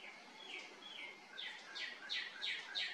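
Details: A male northern cardinal sings in a tree near a house in the evening, to mark territory or court a mate. Two slow, slurred whistles dropping in pitch speed into bright downslurred notes, about three a second, over a soft hiss.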